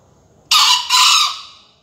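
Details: Young green junglefowl from Surabaya, a top-ten finalist in a national junglefowl crowing contest, recorded at 5 a.m. on 28 February: one harsh, broadband two-part crow, a loud burst then a longer fading second note.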